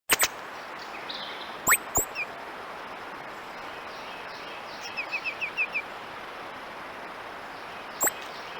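A titmouse gives sharp, electronic-sounding clicks, then a quick run of six high, thin notes, with a last click near the end. A steady outdoor hiss runs underneath.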